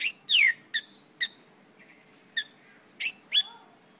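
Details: Mongolian lark with scattered sharp chips and a slurred, descending note, separated by short quiet spells.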